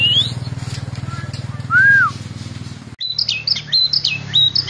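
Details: Indonesian kept White-rumped shama: a single rising whistle and an arched slurred note over a pulsing low engine-like rumble, then a run of quick high chattering notes after the rumble stops.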